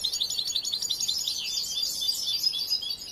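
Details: A young European goldfinch still in song training: a rapid jangling run of high chirps and short trills with bright whistled notes woven through, easing off toward the end.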